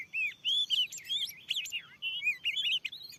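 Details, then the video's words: Wild oriental magpie-robin, described as very fierce, at a newly set lure spot in a field: rapid varied whistled phrases, sliding up and down, in bursts with brief pauses. "Teryata dilahan yg baru steling ini ada burung Kacer yg sanggat ganas....!!!!"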